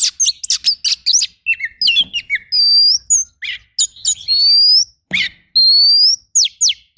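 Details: Training-recording song of an oriental magpie-robin in rough 'tembakan' style: quick sharp chirps, then several long, thin rising whistles that alternate with steep downward notes and brief harsh bursts.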